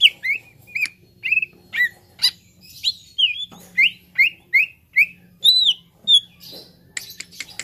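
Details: Cucak ijo, a green leafbird, in a therapy recording used to bring young birds into full song: brisk repeated whistled notes, mostly falling slurs, delivered rapidly over several seconds, then a burst of scratchy clicks, over faint low hum.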